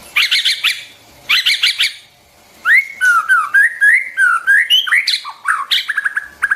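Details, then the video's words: White-rumped shama singing, played to teach song to young birds and stimulate wild-caught ones: harsh chattering bursts first, then a varied series of fluty whistles rising and falling, ending in rapid scratchy notes. "tiếng chim choè lửa hót cực hay, dùng kích giọng cho chim bổi, tập giọng cho chim non"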